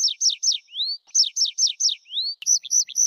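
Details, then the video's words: Tree pipit song of sharp descending notes repeated about four times a second, broken by a smooth rising whistle, then a switch to a new chirping phrase. "tree pipit sound صوت جشنة الأشجار"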